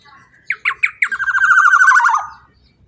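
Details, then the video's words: Loud black-naped oriole, used to get other birds singing: four short upswept notes in quick succession, then a sustained grating, pulsed buzz that drifts lower and fades after about a second and a half. "Pancingan Suara KEPODANG EMAS GACOR Super LANTANG Cocok Untuk Pancingan Burung Bahan Agar Ikut Bunyi"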